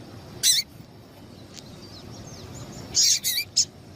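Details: Female double-collared seedeater call, recorded to stimulate males into singing: one sharp, high, harsh burst, a quiet pause with faint thin whistles, then a tight cluster of three or four rasping chips.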